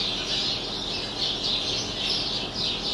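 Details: Pet canary singing indoors while other birds call outside the window: a continuous, dense high warbling trill that swells and fades in slow waves throughout, with no pauses.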